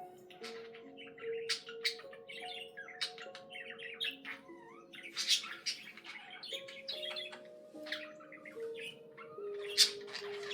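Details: Pet budgerigar warbling softly, with quick scratchy chirps, clicks and occasional sharp squawk notes, over sustained mellow musical tones that shift pitch every second or two.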